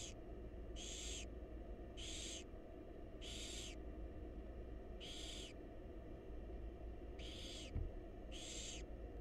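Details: Wild barn owl chicks in a monitored nest box beg as their mother feeds them: harsh, hissing snore-like bursts repeated about every second, seven in a row, over a steady low hum.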